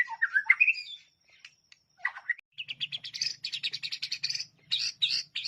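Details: White-rumped shama fighting song used as a training master: varied whistled phrases, then a fast run of sharp high chattering notes, with a faint low hum beneath.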